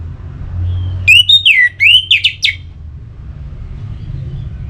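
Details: Orange-headed thrush song for prompting birds to sing: a lively phrase of about eight loud whistled notes, sliding and falling, the later ones short and sharply dropping, over a low hum.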